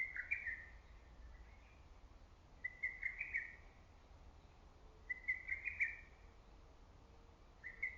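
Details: Distant lesser cuckoo calling among the trees of an early-summer forest and valley: several faint, rapid whistled phrases of clipped notes, spaced a few seconds apart, over steady low rumbling background noise.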